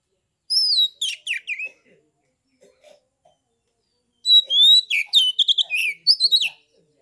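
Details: Oriental magpie-robin in a cage, Kebumen, Central Java, singing 'ngeplong' song to provoke rivals: a high descending whistle with chatter, a quiet gap with soft ticks, then a long burst of whistles, trills and slurred notes.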